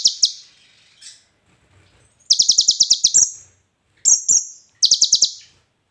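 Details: A bar-winged prinia sings in training material for songbirds. Short clipped phrases of five to eight high, rapid, buzzy chips are separated by near-silent gaps of about a second.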